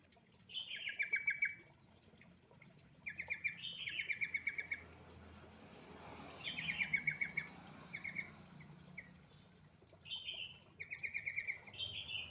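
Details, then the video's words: Sooty-headed bulbul, called trucuk, lure song to get reluctant birds singing: bubbly phrases of quick repeated notes stepping down, given roughly every three seconds, over a low background hum. "Suara Pancingan burung trucuk males bunyi"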